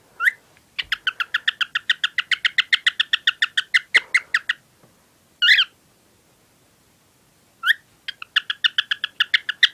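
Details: A pet male cockatiel sings his favourite song: a fast run of sharp, repeated chirps broken by a few longer whistled notes.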